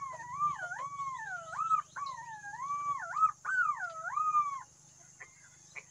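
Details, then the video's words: A green pigeon gives fluty, wavering whistles that loop up and down in several phrases over five seconds, with a steady high insect drone and a low hum behind. "huni ng punay"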